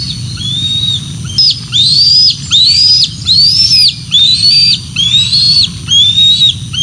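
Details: At the Decorah North nest, bald eagles call on 06 12 2024 while the female brings fish to two eaglets: clear, high whistled notes that arch up then fall, about seven in a row, evenly spaced, over faint low hum.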